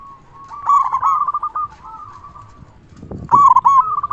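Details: Local zebra dove with a big voice, calling to make other doves respond. It gives a rippling coo phrase that tails off, then a short rustling noise, then a loud renewed burst of trilled coos.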